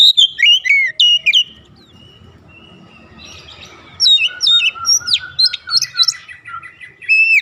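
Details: An oriental magpie-robin calls full of rhythm: quick sharp whistled notes at the start, a quiet pause with faint background hiss, then renewed bursts of short slurred whistles and chips repeated about three per second.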